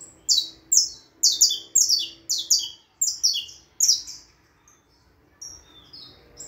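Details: A steady string of loud, shrill saffron finch chirps, each note dropping in pitch, delivered about twice per second, then tapering into softer, thinner notes.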